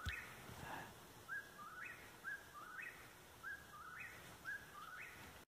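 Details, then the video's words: Whip-poor-will calling nearby while boys are on a roof: a faint, repeated three-part whistled phrase, rising at the end, about once a second, over steady background noise. "whip-poor-will aka wipperwill calling nearby"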